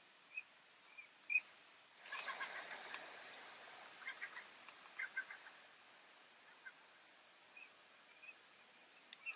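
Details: Eurasian teal (Anas crecca crecca) recorded at Serooskerke, Netherlands, in February 2018, giving short, clear piping whistles every second or two, with a louder burst of mixed chattering and splashy noise in the middle.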